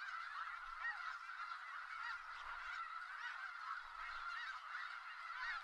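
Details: From Skagit Valley, a thronging snow goose flock gives a ceaseless mix of nasal honks, a seething wall of calls with scattered clearer yelps.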